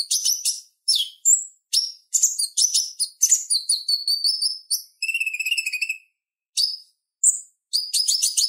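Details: Lively purple-throated sunbird chatter, recorded as a master for teaching kolibri ninja: dense bursts of sharp high chips and twitters, one thin upslurred whistle, a brief buzzy trill midway, then more squeaky chips. A clean recording.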